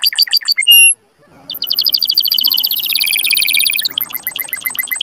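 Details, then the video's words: Canary song for stimulating mating: quick chips and a pure whistle, a short pause, then dense rolling trills climbing through tours and ending in buzzy chopped notes. "تغريد كناري قوي لتحفيز الذكور وتهييج الاناث على التزاوج"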